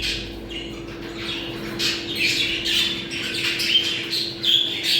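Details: Budgerigar mating sound for stimulating breeding: busy, irregular squawking and warbling chirps from several birds, rising in loudness midway, over a constant low hum.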